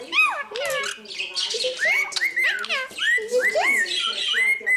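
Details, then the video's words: A pet ringneck parakeet at breakfast imitates the household cockatiel, chattering in rapid rising whistles and squawky warbles, with harmonic-rich notes sliding up over several seconds while a cockatoo is also present. "when marnie imitates your cockatiel"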